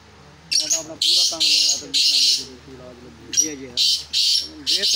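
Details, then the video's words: Black francolin, said to be in preparation for chakri, giving loud, harsh, hissing bursts in three groups, then a further run of four. A man talks quietly underneath throughout. "کالے تیتر کو چکری کے لیے تیار کیا جارہاہے"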